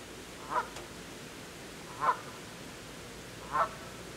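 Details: Canada geese, goslings struggling to keep up with their parents; three short, nasal calls spaced about one and a half seconds apart over a steady background hiss.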